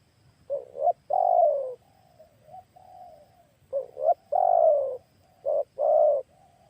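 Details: Turtle dove used to lure wild turtle doves, calling in loud, deep cooing phrases, each a short double note then a drawn-out rolling coo, with softer, fainter coos trailing between phrases.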